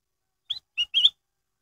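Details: Lure song of a black-headed bulbul for making other birds sing: a single phrase of a soft rising whistle, a short steady lower note and a louder warbled closing whistle, over a silent background.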